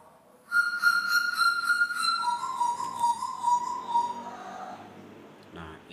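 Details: A Papuan butcherbird in a large netted aviary, heard from a glass observation room, gives clear, flute-like whistled notes: a steady tone that drops lower midway, with a little background chatter at the end.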